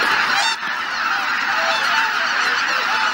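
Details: Geese assembled on Izunuma at Shishibana, Japan, on a grey morning. Several distinct nearby honks stand out against a dense background chorus of the flock, with a short dip in level just after half a second.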